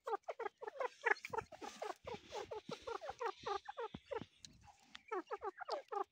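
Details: Baby grey partridge giving quick, falling notes in a fast series, briefly interrupted midway by rustling noise before the repeated calls resume.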